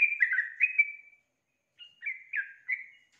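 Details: Female sooty-headed bulbul luring a male to sing. A burbling phrase of slurred notes ends in a sustained whistle, and after a half-second pause, three further bubbly notes follow.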